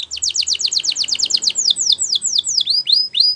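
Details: Canary song for training, Spanish Timbrado style: a fast series of downward-sweeping whistled notes repeated about six times a second, then slower, broader descending slurs.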